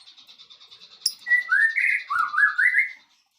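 White-rumped shama: a short run of rich, fluty whistles that slide up and down, preceded by a fast, thin, high ticking.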